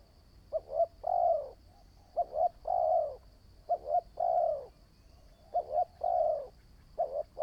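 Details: Spotted dove kept as a decoy bird in training, cooing steadily: repeated phrases of two quick short notes and a long falling coo, about four phrases over several seconds, with a thin background hum.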